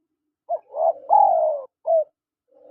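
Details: Male and female spotted dove calls: a short coo leads into a rising note, then a loud, long, gently falling coo and a brief final coo. A faint low hum follows.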